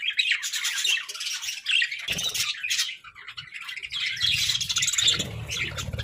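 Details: Budgerigars kept as pets chattering in a steady high twittering warble, scratchy chirps overlapping throughout, with a low rumbling background noise during the second half.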